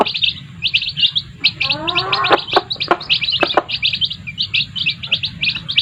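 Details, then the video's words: Chicks calling beside their mother hens, a steady stream of shrill, short peeps in quick succession, broken midway by a lower, harmonic rising call and a few sharp taps. "sound of chicks and their mothers"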